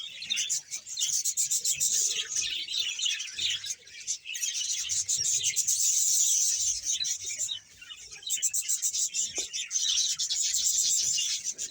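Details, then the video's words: Loud, unbroken chatter from a colony of around 100 budgerigar pairs in Bahawalpur: high chirps and warbles over fast rasping clicks, dipping briefly twice before resuming. "budges sound"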